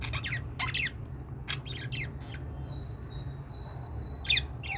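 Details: Budgerigar sounds meant to make budgies sing: scattered harsh, scratchy chirps and squawks in short bursts, with a thin steady whistle-like tone near the end over a low background hum.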